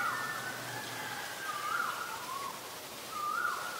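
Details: Female Asian koel giving short, wavering hooked notes that rise then fall, spaced roughly one and a half seconds apart over a steady hiss of background noise.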